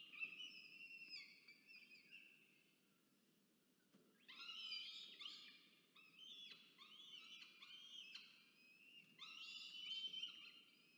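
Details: At a Charles Sturt University nest box in Orange, Australia, 24 October 2022, a male peregrine falcon delivers prey while the female feeds two chicks. Wavering, whistled wails come in a short bout, then after a quiet pause a longer, louder series of upswept notes.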